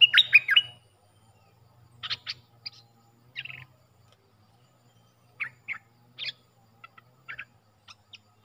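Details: Puff-throated bulbul decoy call, used for training young hand-reared birds: harsh, chattering notes in short bursts about every second, over a faint low hum.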